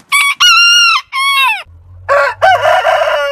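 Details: Rooster of a heritage chicken breed crowing in three crisp phrases with a falling end, then a second, rougher and lower crow begins over a low background hum.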